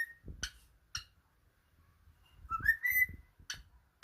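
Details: A cockatiel whistles the Addams Family tune, with short bright notes and a rising, sliding phrase between sharp clicks.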